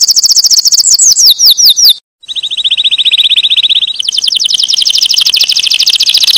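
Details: Canary song, very high and loud: fast descending sweeping notes, a short gap, then long rapid trills held steady and rolling on without pause.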